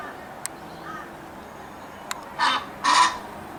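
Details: Australian white ibis (Threskiornis molucca), call.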